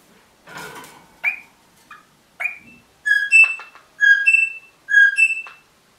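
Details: Pet rosella parrot giving a noisy chatter, then clear whistled phrases: paired notes, a lower tone followed by a higher one, repeated three times in steady rhythm.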